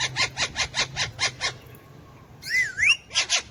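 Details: Tame pet Alexandrine parakeet kept alongside ringneck parakeets, talking in Urdu/Hindi: a rapid series of seven evenly spaced harsh chattering notes, a pause, then a clear swooping whistled phrase and more chatter, with a faint low hum behind.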